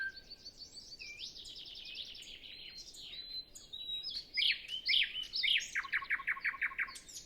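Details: A still, pre-sunrise morning with other birds silent: a nightingale gives a soft high trill, then loud rising and falling phrases, and ends with a rapid string of repeated notes. Recorded on a Zoom F6 with a Sennheiser MKH 8040.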